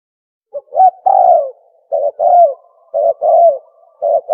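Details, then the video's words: Spotted dove call played to attract birds for hunting: repeated phrases of one or two short coos leading into a longer, descending coo, roughly once per second. "Tukmo sound effective sound call | for Hunting"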